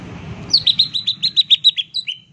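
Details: Captive green leafbird giving a 'tembakan' (shot) style lure song meant to provoke mute leafbirds into singing: a rapid run of about twelve sharp, high, slightly downslurred notes in under two seconds, over a faint low hum.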